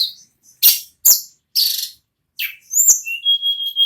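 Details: Ashy tailorbird in rolling non-stop song, nagen ngerol: several loud, harsh, hissing bursts, then a sharp chip and a long, steady, high whistled note with faint trilled notes above it.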